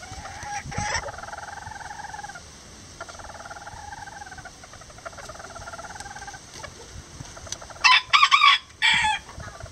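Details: Rare lavender bantam chickens, two miniature roosters and a hen building a nest together, give soft harmonic trilling calls in drawn-out phrases, then a few louder, sharper bursts near the end.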